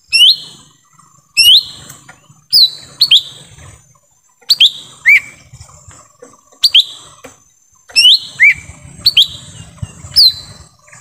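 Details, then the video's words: Lesser green leafbird in forest, a lure sound for calling in wild birds: a lively run of loud, sharp whistled notes, rising sweeps and falling slurs in pairs and triplets every second or so, with faint chatter behind. "suara asli pikat cucak ijo mini di hutan"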